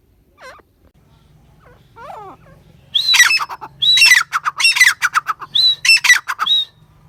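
Grey francolin giving loud, harsh, repeated call notes in a rapid run after a few fainter squeaks, with a low hum in the background.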